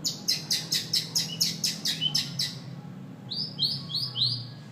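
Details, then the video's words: White-rumped shama song opening with a rapid series of rattling high notes, then a few clear, sliding whistled phrases at the end over a low background hum. "#muraibatu #muraibatugacor"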